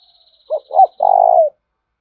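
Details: Spotted dove lure coo from Đồng Nai, Vietnam, played to stir other doves into cooing: a short hooted note, a rising-falling second note, then a long, steady, slightly buzzy coo that slides down at the end. A faint high tone sounds early.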